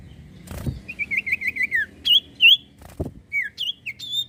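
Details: Common iora (sirtu cipoh) in energetic lure song for prompting other birds: rapid wavering whistles slide downward, followed by sharp higher chirps, broken by two loud knocking thumps.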